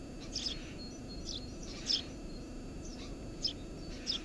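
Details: Eurasian tree sparrow by its nest under a house roof, June 2017: a few bright, high chirps in short bursts, spaced about half a second to a second apart, over low steady noise.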